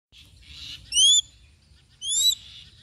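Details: A hunting crested goshawk (Accipiter trivirgatus) gives two shrill, drawn-out screams about a second apart, each rising slightly then easing off, with a faint airy hiss between.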